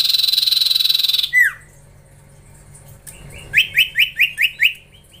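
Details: Training session with a young Common Iora (cipoh): a pulsed buzz ends in a falling whistle, then after a pause comes a quick series of six sharp rising whistled notes, evenly spaced.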